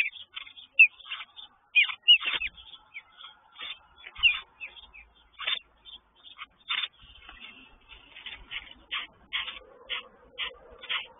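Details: Mother sparrow agitated near her nest of chicks, who think it is feeding time; a steady stream of short, harsh chirps about once per second, mixed with a few thin, high notes.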